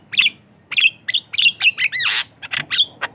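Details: Javan myna singing as a lure and training sound for other mynas: repeated squeaky whistled notes at roughly one every half second, with a harsh buzzy rasp in the middle.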